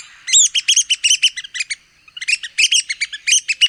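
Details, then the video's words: Red-cockaded woodpecker of the southeastern United States giving squeaky, raspy chattering notes, about eight per second, in two bursts separated by a short pause. "Red-cockaded Woodpecker Calls & Sounds"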